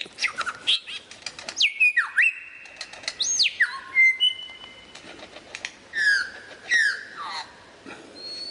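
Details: Lyrebird song full of imitations: dense chipping notes, long sliding whistles stepping down in pitch, then paired downward-slurred whistles and a thin high note.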